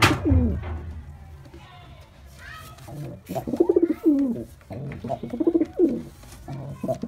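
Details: Performing male white pigeon: after a quiet start, a run of rapid throbbing coos follows, each bubbling phrase dipping in pitch, repeated several times in the second half.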